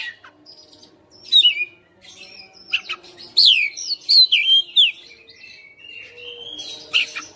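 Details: Oriental magpie-robin kept as a house bird, singing hard in fighter style and unloading its fill repertoire: bright swooping whistles and quick chattering notes in several bursts, over a quiet, steady low hum.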